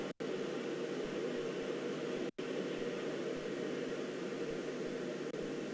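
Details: Even hissing background noise broken by two brief dropouts and a small click, with no animal calling.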